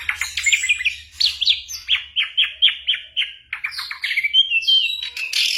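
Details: Ashy drongo mimicry song containing imitated bird voices and gunshots, meant as a tutor for moulting shamas. A run of loud, evenly spaced downslurred chirps, then rising whistles and a bright high buzzy phrase.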